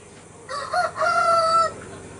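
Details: Rooster crowing, a single loud harmonic crow lasting over a second with a short broken opening and a long sustained wavering tone, over faint background hiss.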